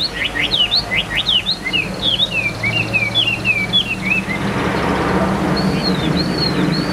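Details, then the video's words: Captive Chinese hwamei, a hand-carried bird over two years in cage, singing steadily: a rich, varied song of loud whistled and slurred phrases rising and falling rapidly, over a low background hum of traffic. "Họa Mi Hót Như Máy Giọng Ra Đều Như Vắt Chanh"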